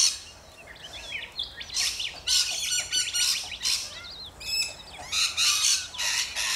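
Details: Rainbow lorikeets in Australia: noisy flock chatter of harsh screeches and rasping bursts overlapping with brief sliding chirps, rising in intensity toward the end.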